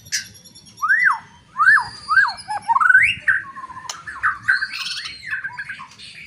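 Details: White-rumped shama giving a loud song that goads rival shamas to fight: a series of arched, whistled downslurs repeated several times, followed by lower warbled notes and a high twittering close.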